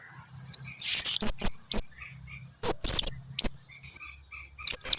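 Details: Calls of a blue-crowned hanging parrot used as a lure for others of its kind: a harsh buzzy burst followed by scattered piercing high chips in small groups, steady thin hum in the background.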